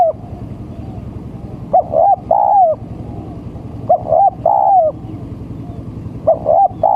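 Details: Male spotted dove giving a lure call used to attract other doves. It makes short phrases of three mellow, hollow cooing notes. The last note is the longest and loudest. Phrases repeat about every two seconds over a steady low rumble.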